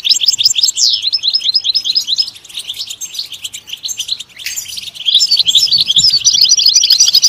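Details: European goldfinch song, likely from a captive bird kept for singing: rapid, dense twittering with buzzy and liquid notes running almost continuously, a brief quieter gap midway, then resuming loud and busy.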